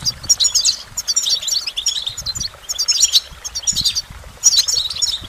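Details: Goldfinch song: rapid twittering bursts of bright, tinkling, high notes in several phrases separated by short pauses, with faint low rumble underneath.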